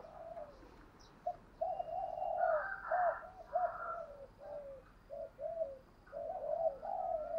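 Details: Spotted dove decoy cooing used to provoke rival doves: soft, low coos in irregular short bursts over a steady hiss of background noise, with a higher, slightly brighter phrase in the middle.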